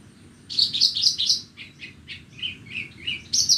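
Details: Horsfield's bush lark from Borneo singing on a bright morning: a quick series of sharp high chirps, then lower slurred whistled notes falling in pitch, ending with a sudden loud high burst.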